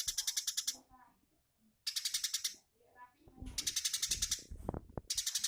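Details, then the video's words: Eurasian tree sparrow singing in the 'tembakan' style used to tutor magpie-robins in Indonesia: short bursts of fast rattling chirps alternate with quieter gaps containing low voices and clicks. "Burung gereja tembakan"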